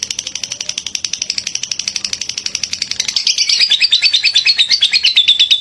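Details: Lovebird singing in the ngekek style, described as very lively and suited as filler material for training: a long, fast, unbroken chatter of sharp buzzy chirps, about three per second, rising in pitch after three seconds.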